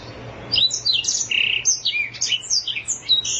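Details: Black-throated canary (Crithagra atrogularis), native to Africa, sings a long unbroken, fast run of high, sweet twittering notes and short trills varying in pitch, with a faint low hum underneath.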